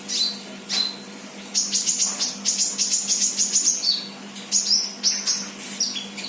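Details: Untrained 'bahan' sunbird, called kolibri locally, singing actively ('gacor'): thin, very high chirps, then a rapid buzzy chatter of run-together notes and more short sharp calls, over a low steady electrical hum.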